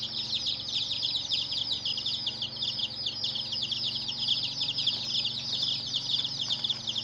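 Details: Baby chickens, dyed in colors, peeping continuously: countless thin, high, downward cheeps blending into a steady chattering chorus over a faint machine-like hum.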